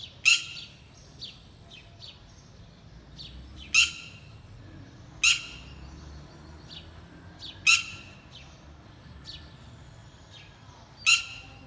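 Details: Mother bird calling loudly and constantly while watching over her young: sharp, harsh, high calls about every three to four seconds, with softer chirps between them.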